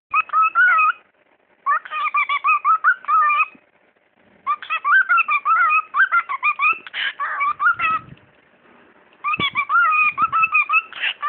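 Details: A pet talking bird chatters in speech-like bursts of harmonic, slightly whistled syllables, four runs of rapid notes separated by short pauses, with a few soft clicks in a quiet indoor room.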